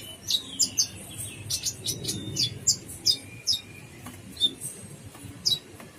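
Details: Brown-throated sunbird (kolibri ninja) in gacor full isian song. Bright, very high chirps and thin downslurred whistles are repeated about every half second, loud and clear against a low background murmur.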